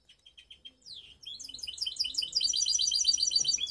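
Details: Hybrid canary called baster, from Skopje, singing a mixed song: a few soft separate notes, a downward swooping whistle, then loud, fast, bright warbling trills repeated in tight rolling phrases.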